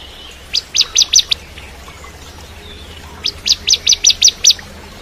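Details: Two short bursts of high, ringing chips from a bar-winged prinia of the crystal type, five notes then a pause and seven more, kept as training material for magpie-robins.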